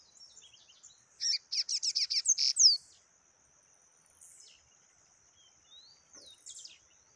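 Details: Yellow-bellied seedeater singing the taquara rachada style: after faint opening notes comes a loud run of about eight rapid buzzy rasping notes ending in a sharp downslurred whistle. Soft high chirps follow against a thin continuous tone.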